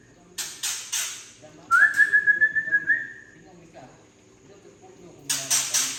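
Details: White-rumped shama of Tangse origin giving a rough 'trek kasar' call meant to stir up juvenile birds: bursts of harsh rasping chacks around a long, steady, buzzy trilled whistle held at one pitch.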